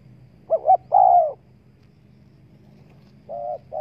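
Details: A spotted dove coos to lure wild doves. Two clipped notes lead into a long, falling coo, and after a pause a further coo begins. Faint low hum in the background.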